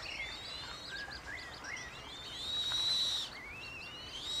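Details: Eurasian coot with five surviving chicks in Beverwijk, Netherlands: thin, high whistles rising and falling, overlapping in quick succession, with one longer steady whistle in the middle, over a faint background hiss.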